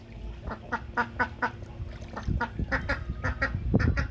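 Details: Duck at play with water on a farm, quacking loudly in a fast even series of nasal notes roughly four per second, with low watery thumps throughout.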